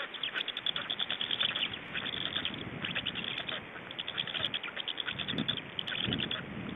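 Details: Estonian Black storks at the nest, 24 May 2012, evening change-over and feeding: a steady stream of fast dry rasping pulses, with low rumbling thumps toward the end.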